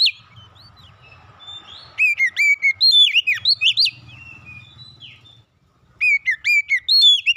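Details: Magpie-robin song meant to prompt a kept bird to sing along: clear, high whistled phrases of sliding and looping notes in quick bursts, separated by a pause with a low background hum.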